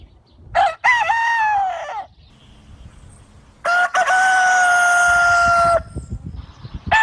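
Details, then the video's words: Farm rooster, a free-range type, crowing twice: a stuttered, wavering first crow, then a long, loud, even-pitched drawn-out note of about two seconds, with low thumping noises and the start of another call. "galo caipira cantando"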